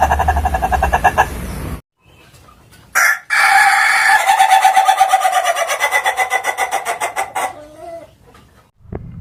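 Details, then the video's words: Ayam Ketawa rooster: the tail of one crow, a pause, then a long laughing crow of rapid, evenly repeated pulses for over four seconds, fading out with a faint low note. "Sound of a Rooster Laughing Compilation (Suara Ayam Ketawa)"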